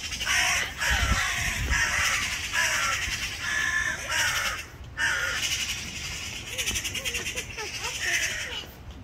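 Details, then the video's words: Magpie giving repeated harsh, rasping chatter bursts with short pauses between them, roughly every second or so, over a steady low rumble. "Magpie Call - magpie sound - magpie song - magpie"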